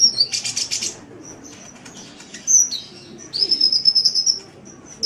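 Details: Kolibri (sunbird) in vigorous gacor song, a master recording for training songbirds: a burst of buzzy high chirps, then a quiet gap, then a long thin high trill of rapid notes.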